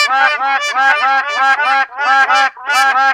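A Black Crowned Crane gives loud, nasal, goose-like honks, about five or six in quick succession with brief pauses between them.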